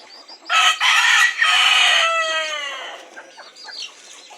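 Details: Mature domestic chickens going to roost at nightfall, calling a lot: loud, harsh overlapping calls with a rooster-like crowing phrase falling away into softer, drawn-out notes and a few quiet clucks.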